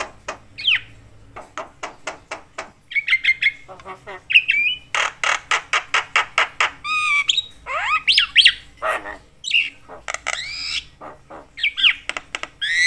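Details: Javan myna calling very talkatively, said to make other mynas agitated: rapid series of harsh clicking squawks interleaved with whistled slurred notes and warbled phrases.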